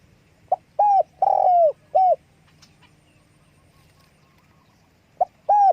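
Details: Spotted dove calling with wing flapping: a short pip, then three mellow mid-pitched coos, the middle one long and falling at the end. After a quiet gap, another pip and coo begin. Faint low hum beneath.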